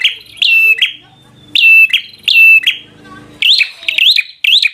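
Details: Bar-winged prinia in combative 'gacor' song that provokes a rival: loud sharp notes with flat whistled tails in spaced bursts, ending in quicker rising, twangy notes.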